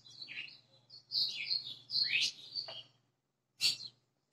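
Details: White-throated seedeater (golinha) singing a whistled song, a run of clear high notes with slurred phrases for about three seconds, then a short separate burst after a pause; a low steady hum underneath.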